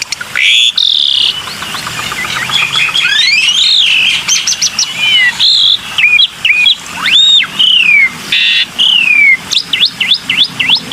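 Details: Black-winged myna heard in a lure recording: a long varied song of harsh buzzy bursts, rising and falling slurred whistles, and sharp upswept notes. It grows choppier toward the end, with short bright phrases in quick succession.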